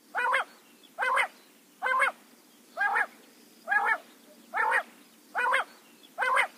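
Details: Quail calling in the morning in jungle: eight nasal, harmonic-rich calls, each about a third of a second, repeated evenly just under once per second over a quiet, steady background hiss.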